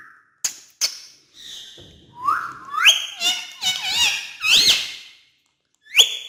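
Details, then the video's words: Pet talking parrot producing a run of squeaky speech-like syllables and sharp whistled notes with rising pitch sweeps, separated by short pauses. "Best Parrot Of Talking Parrot Family"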